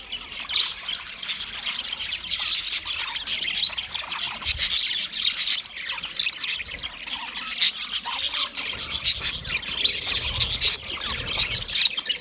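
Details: White male budgerigars chirping, described as a mating sound: dense, continuous high-pitched chatter of squawks and chirps, rapid and overlapping, with no pauses throughout.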